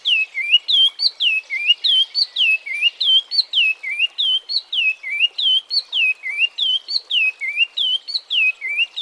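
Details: Oriole Warbler (Hypergerus atriceps), an African species, gives a fast, steady run of rich, liquid whistles, about three per second, each note slurring down then up, repeating evenly over a quiet background.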